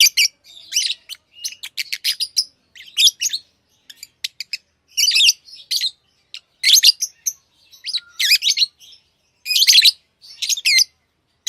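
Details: Pet lovebirds chirping: many short, shrill, harsh bursts high in pitch, some clustered in rapid runs, with brief silent gaps between calls.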